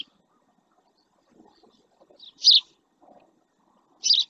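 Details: Male house sparrow resting beside a live camera in the El Rocío marsh, Doñana National Park, Almonte, Spain; two loud, short chirps about a second and a half apart, over faint low background rumbles.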